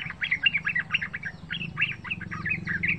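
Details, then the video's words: Young Yellow-vented bulbul aged three months singing wild-style lure phrases: rapid chirpy notes with a few upswept whistles, over a low background hum. "bermacam-macam suara NGALAS gacor pancingan trucukan ini Bikin trucuk lain rajin Ngeplong dan ropel"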